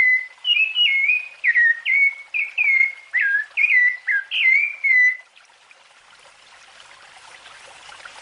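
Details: Rufous-bellied thrush, the zorzal colorado of Argentina, delivering about eleven quick whistled phrases over five seconds, each slurred and slightly varied, then the song stops and only a soft hiss of background noise remains.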